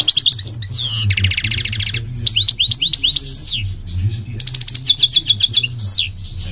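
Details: Migratory goldfinch singing: rapid high twittering with fast buzzy trills, sweeping slurred notes and tinkling phrases in quick succession, over a steady low hum.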